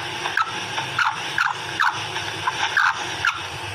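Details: Female black francolin giving quick squeaky notes, each dropping in pitch, repeated about every half second over a continuous background hum and hiss.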